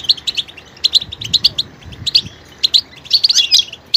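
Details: High, sharp goldfinch chirps come in small irregular clusters, with a faster tumbling twitter toward the end; the bird's singing mixes different notes and vocal details.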